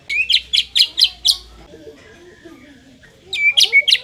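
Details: White-rumped shama song played to make a less aggressive bird more fighting and competitive: a burst of five sharp, high chirped notes in quick succession, a pause with soft low sounds, then another fast run of high notes.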